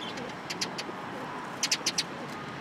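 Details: Sparrows come together in a cherry tree at a Tenmangu shrine, 21 March 2023. Scattered high chirps are followed by a tight run of four, heard over a low rumbling background.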